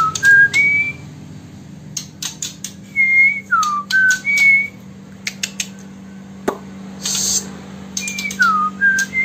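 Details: Murai batu, described as original Sumatran stock, from Bengkulu city, Indonesia: clear whistled notes, some rising and some falling slurs, in short bursts with pauses. Sharp clicks and knocks sound throughout, and a low steady hum runs underneath.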